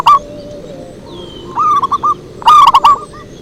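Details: Zebra dove singing a pikat lure song: a short coo at the start, then a softer rolling phrase of clipped notes and a louder ringing burst of rapid coos near the end.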